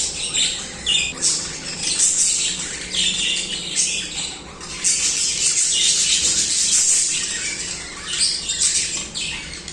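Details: Continuous budgerigar singing: dense scratchy warbles and chirps with sharp squawks, loud rasping stretches and brief quieter gaps, likely several birds together.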